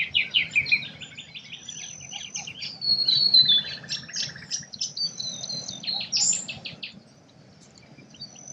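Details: Several forest birds singing in Australia, a mixed chorus of high chirps, quick trills and sharp whistled notes overlapping through most of the recording, then fading to quiet near the end over a soft low background hiss.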